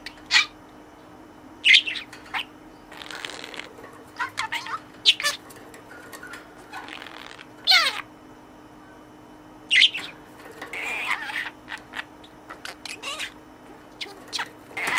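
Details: Budgerigar kept in a cage chatters with learned words to the toy it treats as a friend: a long, irregular stream of high chirps, grating mutters and quick squeaky syllables with brief pauses, indoors.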